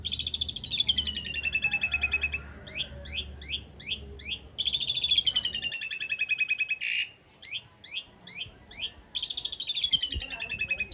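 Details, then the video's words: Asian pied starling master song for teaching cage birds, rough-fill long-roll style: drawn-out buzzy rolls sliding downward, alternating with series of short rising chirps, a faint hum underneath. "Suara masteran jalak suren isian kasar roll panjang"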